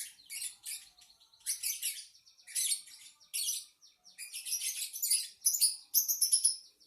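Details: A lovebird kept as a pet sings a loud, rapid chatter of harsh, high-pitched twittering phrases broken by short pauses, ending in a run of sharper squeaky chirps.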